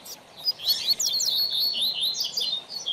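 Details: Double-collared seedeater, locally coleiro or papa-capim, delivering training song: a continuous, rapid, high warbling stream of sliding whistled notes that stays loud throughout.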